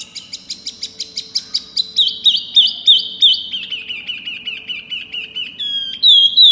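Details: Pygmy cupwing, a small bird singing loudly and clearly, delivers a fast series of sharp high chips that speed up and flow into a run of quick looping whistled notes, ending in bright high whistles.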